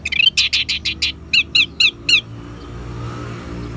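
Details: Orange-headed thrush in ngeban song, used to get caged birds singing: a rapid series of buzzy chirps about three per second, shifting into lower slurred twitters, then background rumble only.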